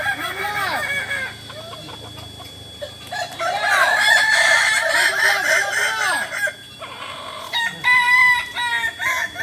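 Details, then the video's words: Kokok Balenggek roosters, West Sumatra, during a shared training session in Ampang Kualo, Solok. Arched, stepped crows overlap in waves, with short clucks and a final run of clipped, repeated notes. "Ayam kukuak balenggek"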